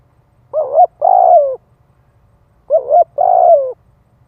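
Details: Spotted dove cooing in the thúc gù style to stimulate males. Two low, mellow phrases about two seconds apart, each a short coo followed by a longer, slightly falling coo, over a faint low hum.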